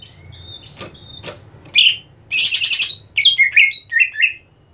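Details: Greater green leafbird in competition condition begins with thin level whistles, then a dense buzzy chatter followed by a quick run of rich slurred whistles.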